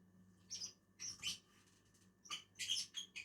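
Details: Two lovebirds (Agapornis) eating together in a tree give harsh, shrill chirps in short bursts, a pair of calls near the start and a denser cluster later, over a faint low hum.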